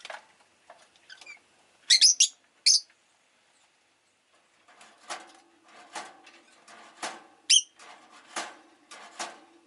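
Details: Rosy-faced lovebird giving a few loud, sharp, high chirps around the two-second mark and another near seven and a half seconds, with soft broadband street noise from traffic and engines filling the second half.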